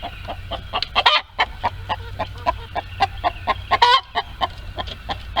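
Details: Barnyard chickens in a coop during egg laying: fast, rhythmic clucking throughout, with two brief, harsh screeching outbursts standing out above the clucks.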